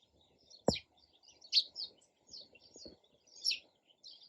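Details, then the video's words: Sparrow chirping in a loose series of short high tweets, about one a second, with a single sharp low knock early on. "SOUND OF SPARROW RELAXING CHIRPING SOUND"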